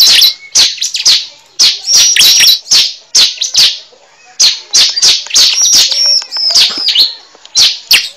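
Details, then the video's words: Cible bird used as a lure, giving high, piercing chirps in clusters, interspersed with thin whistled slurs and a brief quieter pause midway. "Pikat suara burung cible terbaru sangat ampuh"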